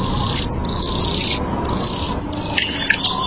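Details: Purple-throated Euphonia (Fim-fim) from Brazil repeating long, thin, high drawn-out notes about every half second, then a few quick chips, with a steady background hiss.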